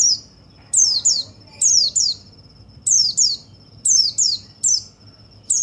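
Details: Brisk double and triple downward slurs from a white-eye (pleci), played to rouse other birds, are joined by a faint steady high tone that runs between the phrases.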